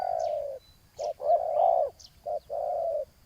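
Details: Spotted dove cooing as a decoy on the ground lures a rival: a short low coo, then a long throaty hum, then another short and long pair, with faint high chirps above.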